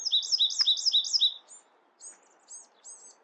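Bewick's wren giving a rapid trill of four high, paired notes, then a few softer, thin chirps spaced about half a second apart.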